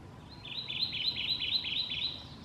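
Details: Kentucky Warbler singing at Evansburg State Park, Montgomery County, Pennsylvania, recorded May 24, 2015: a loud, rapid series of about seven identical rolling two-part phrases, high and ringing, over a low background rumble.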